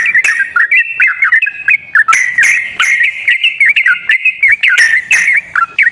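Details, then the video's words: Yellow-vented bulbul singing, as a lure recording for a bird that is slow to sing. Rapid chains of liquid whistled notes rise and fall nearly nonstop, broken by brief gaps and a few sharp ticks. "ISIAN PANCINGAN TRUCUKAN YANG MALAS BUNYI"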